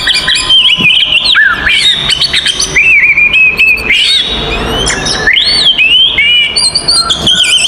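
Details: Oriental magpie-robin fighting song aimed at provoking other magpie-robins; rich mix of whistled slurs, a long wavering warble, harsh scratchy notes and a loud rising-falling whistle.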